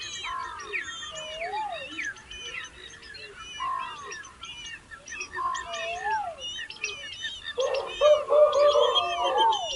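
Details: Hungry baby birds begging as their mother feeds them. Dense chatter of high chirps mixed with rising and falling whistled notes, swelling into a rapid, buzzy, louder burst near the end.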